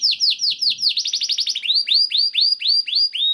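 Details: Canary singing to prompt other canaries: down-slurred chirps, a very rapid rolling trill, then slower repeated rising-then-falling whistled notes.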